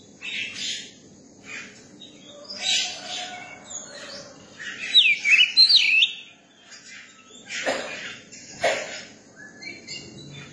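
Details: Young Oriental magpie-robin singing: scattered high harsh, scratchy bursts with a brief loud run of clear whistled slurs in the middle, then quieter rasping notes and two low thumps near the end.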